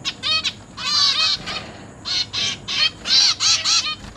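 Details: Young zebra finches in a cage, newly hatched and juvenile, begging while their parents feed them, 29 September 2023: loud rasping nasal calls in clustered bursts of two to four, with short breaks between groups.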